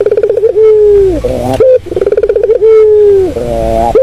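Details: Puter dove giving a melodious purring coo used for luring birds: a fast stuttering burst, then a long steady mid-pitched note that dips and ends in lower, throaty notes; the phrase comes twice.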